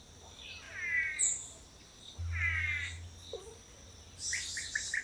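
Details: Long-tailed Manakin males taking turns in courtship display on a lek in Costa Rica give two drawn-out, nasal, rich-toned calls about a second and a half apart, then quick high chirps over a low rumble.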